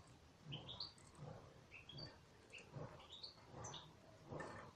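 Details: Caged European goldfinch giving short, high, rising chirps in small clusters, spaced irregularly, about one to two per second, with a low background rumble between them.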